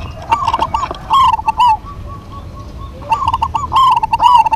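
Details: Local zebra dove duet: quick rippling coos in rapid succession, then a pause with a faint thin tone, before the pair resumes a loud rolling, trilled cooing run.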